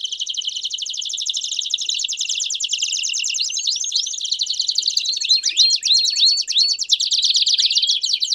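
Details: Canary song in the campainha style with piados, for training young canaries: dense rapid high trills, with rising swept whistles and fast repeated downward notes later on.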